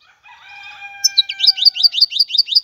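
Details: European goldfinch song: a steady harmonic tone at the start, then a string of bright, rapidly repeated downslurred chirps.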